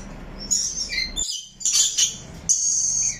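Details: A rainbow lorikeet parrot gives shrill chirps: a whistled downward slur, a silent break, then a harsh screechy burst and a sustained high buzzy note.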